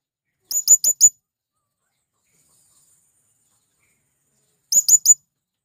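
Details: Male blue-crowned hanging parrot calling to wild birds, producing two tight bursts of four piercing, very high chirps with a long silence between them.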